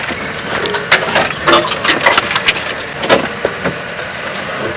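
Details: Rapid irregular clicks, knocks and crackling thuds like a vehicle jolting over rough ground, with faint engine noise and no animal calls.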